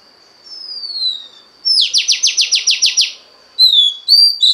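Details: Female Oriental magpie-robin calling to excite the male: a soft falling whistle, then a loud rapid trill of about nine identical descending notes, ending with two short high slurred whistles.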